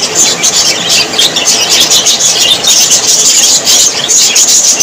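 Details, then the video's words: Many parrots squeal and chirp at once, a busy high-pitched babble of short whistles and squeaks, roughly one louder burst a second over continuous chatter. "Beautiful parrots voice"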